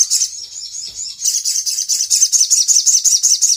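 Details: Energetic brown-throated sunbird song played to provoke replies from other birds: a short high twitter, a brief gap, then a steady series of rapid, very high chirps, several per second.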